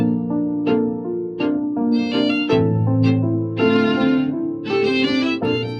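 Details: Bowed violin and string music with plucked notes plays throughout, and no animal voice is heard.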